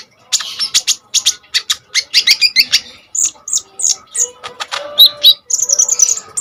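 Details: Common iora in vigorous song, played to train and provoke kolibri ninja birds: a long rapid string of crisp high chirps and buzzy notes, several per second, ending in high warbled whistles.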